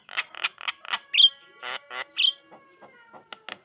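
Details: Chattering Javan myna, played to prompt quiet mynas to reply: several rasping, grating notes alternating with two bright whistled upslurs, followed by softer scattered clicks.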